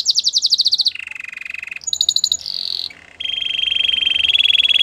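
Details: Belgian canary song for training canaries: quick high rolls, a lower buzzing trill, a piercing high tour, a short pause, then a long steady rolling trill growing louder.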